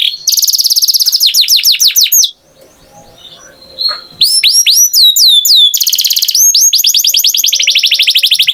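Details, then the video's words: Canary song of rapid high trills and sweeping whistled notes, broken by a two-second quiet gap with faint rustling, then resuming with curved whistles and a long fast rolling tour. "Canary Singing Beautifully"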